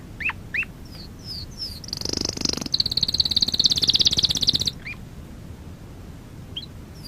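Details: Canary song used for training: a few rising chirps, then a dense buzzy high trill for about three seconds, followed by scattered short upslurred notes against faint low background hiss.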